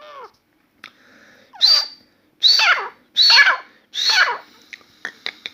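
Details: Grey francolin in a room giving loud, strident rising notes, four in quick succession with short gaps, preceded by a faint lower call and followed by scattered soft clicks.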